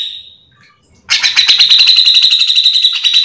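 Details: Grey-cheeked bulbul (cucak jenggot) singing nonstop to tutor or lure other bulbuls of its kind: a faint fading note, a short silence, then a loud, steady, rapid buzzing rattle about four pulses per second.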